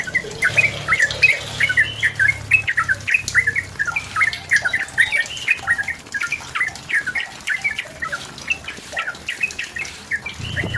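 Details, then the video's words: Yellow-vented bulbul singing to press a rival and lure it into song: dense run of short bubbly chirps and slurred notes, several per second, over a steady low hum. "SUARA BURUNG TRUCUKAN GACOR MENEKAN LAWAN UNTUK BUNYI PANCINGAN TRUCUKAN AGAR BUNYI"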